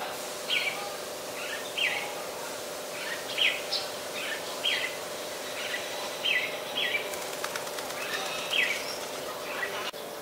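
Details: Adult red-whiskered bulbul in Ubon Ratchathani, Thailand, on 3 January 2021: short bright chirpy phrases repeated every second or two over a steady low hum and a brief crackle of noise.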